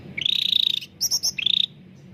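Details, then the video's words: A lively cucak ranting bulbul sings clearly, meant to coax silent caged birds into song. A sustained rapid trill, then three sharp high notes, then another short trill. "CUCAK RANTING GACOR SUARA JERNIH UNTUK PANCINGAN YANG SUSAH BUNYI"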